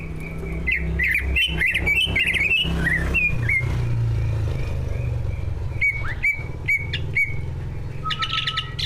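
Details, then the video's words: Two competition-class captive greater green leafbirds with mimicry-rich song used to spur other birds: a rapid jumble of varied whistled notes, then four evenly spaced sharp upswept whistles, all over a constant low rumble like passing traffic. "Kicau burung cucak ijo gacor, prestasi, full masteran. buat pancingan dijamin ikut Gacor"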